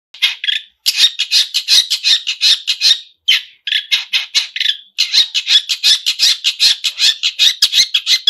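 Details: Long-tailed shrike singing actively, a song full of mimicked fills: rapid, dense runs of harsh scratchy notes repeated almost nonstop in three long bursts, with brief pauses near one, three and five seconds.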